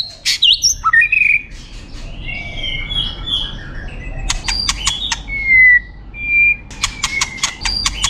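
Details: White-rumped shama, a champion competition bird, in full song: swooping whistles, long pure held notes, and rapid clicking bursts strung together, each phrase loud and distinct above a quiet background.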